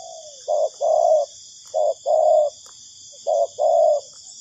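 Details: Cooing spotted dove played as a trapping lure: three clear phrases, each a quick short hoot followed by a longer even coo, spaced about 1.3 seconds apart, over a continuous high-pitched insect chorus.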